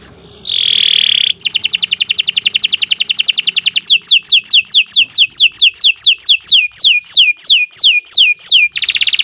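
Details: Canary song as a master recording for captive birds: a steady whistled tone, then a long rapid trill that slows into repeated descending sweeps, ending with a buzzy trill.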